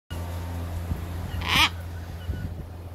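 A macaw gives one short, harsh, rasping squawk over a steady low mechanical hum.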